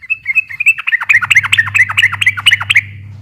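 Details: Sooty-headed bulbul in long, rapid 'gacor ropel' style song meant to provoke silent birds into answering: a few sustained whistled notes, then a fast run of bright chirps with upward flicks, about two per second, over a steady low hum.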